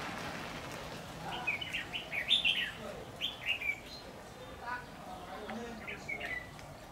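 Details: Red-whiskered bulbul recorded on 10 September 2019 during trapping with a decoy bird, a large bird repeatedly threatening the decoy: a run of bright, slurred chirps rising and falling, clustered in the first half, then a short burst near the end over a low rustling background.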